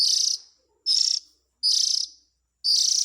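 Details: Lure recording of an Oriental magpie-robin chick calling for its parents: four strong, buzzy, high-pitched rasps, each about a third of a second, separated by short silences.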